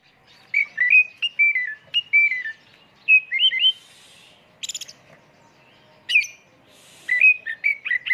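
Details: Oriental magpie-robin song used as a lure, a full 'isian' song in rapid 'tembakan' style: loud whistled phrases with quick rising and falling slurs, some short buzzy bursts, delivered in bursts separated by brief pauses.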